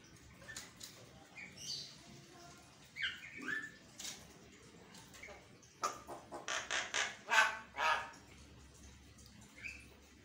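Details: Javan myna singing in the morning as a provocation lure for caged birds; mixed squeaky whistles and scratchy notes, building to a burst of loud, rapid harsh chattering, with human voices in the background.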